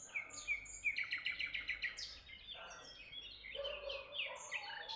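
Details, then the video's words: Birds chirping in Tuzla: a quick series of bright, evenly spaced chirps rises early, then many birds overlap in high twitters with some lower notes. "birds chirping sound in Tuzla"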